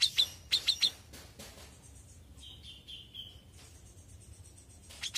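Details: Young grey-cheeked bulbul singing: a few sharp, bright chirps in quick pairs, then a short, even run of trilled notes that drops slightly. Quieter chirps follow, over a low background rumble.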